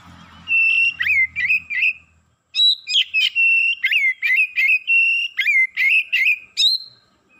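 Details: Excited Oriental magpie-robin rising in emotion and unloading its learned repertoire: rapid series of loud, clear whistled notes with sharp downward and upward slurs, a pause near 2.5 seconds, then more varied phrases; faint low hum at the start.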